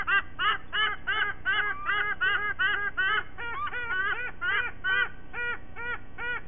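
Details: White-bellied sea eagle at a Sydney nest, Australia, on 5 October 2023 at 07:45: rapid honking notes giving way to slower, evenly spaced arched honks near the end, with a hum of background noise.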